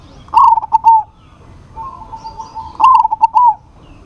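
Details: Actively singing local zebra dove challenging a rival: two rolling trilled phrases of three staccato notes each, separated by a soft continuous coo from an answering dove.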